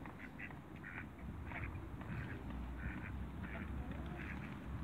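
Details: A pair of mallard ducks meeting, giving short nasal quacks in loose clusters of two or three, with rumbling low wind and water noise throughout.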